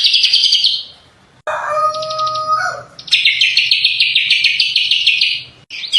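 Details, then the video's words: Greater green leafbird singing vigorously: a loud high warbled phrase, then a lower whistled section with steady tones and fast pulses, followed by a long rapid rattling trill of repeated high notes, ending in another bright burst. "cucak kombo Gacor"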